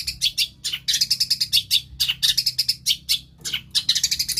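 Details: Long-tailed shrike rattling off a fast, varied medley of imitated bird calls, with high squeaky chirps and short scratchy phrases tumbling together almost without pause.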